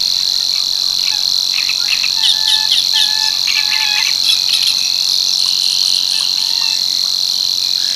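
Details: Savi's warbler at Tancat de l'Illa, l'Albufera, keeping up its monotonous high buzz, while another bird sings a run of varied chirps and short, clear, lower whistles in the middle section.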